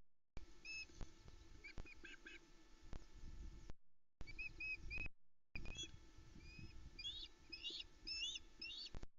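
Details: Ospreys at a nest in the Arkaig Community Forest at Loch Arkaig, 10 July 2020, around 05.25, as the male brings the day's first fish, a headless trout, to the female and three chicks; thin high whistled chirps in bursts over low rumbling camera noise.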